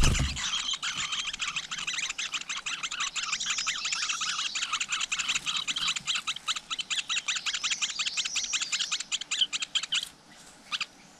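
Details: Flowerpecker at a nest with chicks in the wild: a dense, rapid series of high, dry chipping notes repeated many times per second for about ten seconds, then fading to a few scattered chips.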